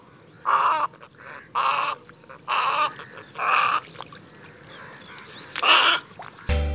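Western Reef Heron giving five harsh, guttural croaks, each about half a second long, spaced roughly a second apart; a burst of music cuts in at the end.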